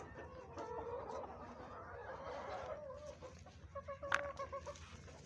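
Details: Hens eating green vegetables on a chicken farm: a drawn-out, wavering cackle at first, then a run of short clucks and a sharp knock, with a constant low hum behind.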